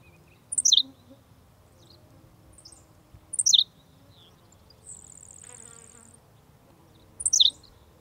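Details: Henslow's sparrow in brushy, grassy habitat giving its quiet, abrupt "see-LICK" hiccup song. Three very brief, high, downward-slurred notes come roughly every three seconds. A thin, steady insect buzz rises briefly in between.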